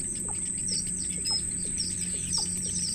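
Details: Wild baby birds at their nest beg their mother for food: thin, very high chirps come in quick, uneven bursts, over a steady high-pitched whine, a low hum and soft ticking clicks about every half second.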